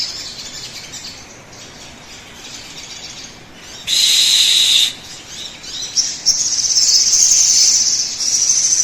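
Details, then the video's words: Sogon song played as a lure to set other birds singing: faint high twitters, then a loud steady high whistle for about a second, followed by a rapid, shimmering high trill. "pancingan suara burung sogon agar cepat bunyi"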